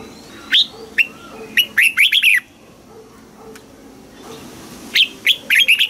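A red-whiskered bulbul sings bright, bubbly whistled notes in quick clustered bursts. A phrase comes, then a pause of about two seconds, then another lively run.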